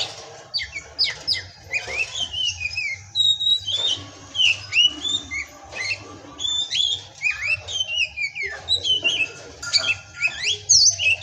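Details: An Oriental magpie-robin sings pastol-style: varied whistles, sweeping slurs and abrupt click-like notes, phrase after phrase with brief pauses, over a soft low hum.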